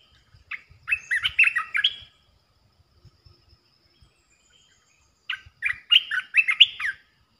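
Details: Calling Asian red-eyed bulbul, resident on its territory: two bubbly, chattering phrases of rapid chirped notes, each about one and a half seconds long, separated by roughly three seconds of quiet with faint ticks.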